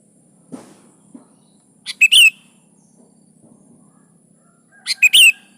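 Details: Sooty-headed bulbul singing loudly, intended to get caged bulbuls to sing along: two brief, slurred phrases about three seconds apart over a faint low hum, with a few soft taps.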